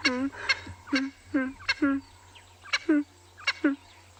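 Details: Swainson's spurfowl, apparently standing up high and singing, gives harsh, rasping crowing notes in quick pairs, about eight in four seconds, over a faint engine-like hum; afternoon game drive, 8 May 2020, Ngala Private Game Reserve, South Africa.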